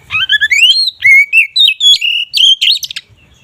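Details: Oriental magpie-robin (kacer) delivering ngeplong song to raise mating drive: a rising whistled run, then a steady stream of clear sliding whistles and ringing notes, ending in quick buzzy notes.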